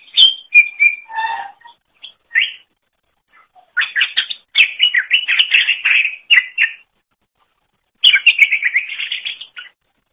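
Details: Greater green leafbird song, used for training other songbirds: varied bursts of rapid chattering and whistled notes, some dropping low, then long tumbling runs of mid-pitched warbles broken by silent gaps.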